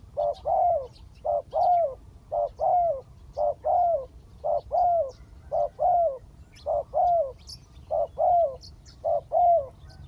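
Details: Spotted dove decoy coaxing a wild bird to come down, steadily repeating short-then-long coo pairs roughly every second for ten seconds, the longer note sliding downward, with faint high chirps of other birds.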